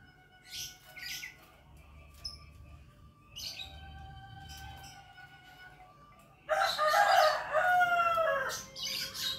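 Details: Black-naped oriole singing actively: scattered faint chirps and thin steady tones, then a loud dense burst of rich whistled and harsh notes near the end, with several phrases following.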